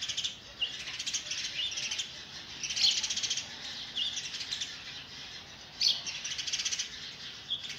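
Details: Sparrow chicks begging while an adult tries to feed them oversized food; dense, high, rasping chirps in bursts, with louder squeaky notes near three and six seconds.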